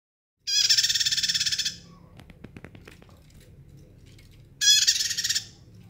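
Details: Bar-winged prinia singing loudly: two bursts of rapid, buzzy, high-pitched trills, each about a second long, with a few faint clicks and chips in the gap between them.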